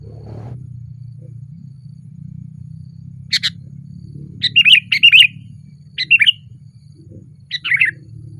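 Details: Sooty-headed bulbul singing loudly and energetically from a branch: short bubbly, chirpy phrases of two or three quick notes, given in bursts about a second apart, against a steady low rumble.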